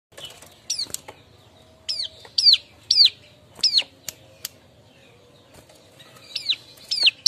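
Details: Bar-winged prinia calling while seeking a mate: sharp down-slurred whistled notes, given singly or in pairs with irregular pauses, plus a few faint clicks.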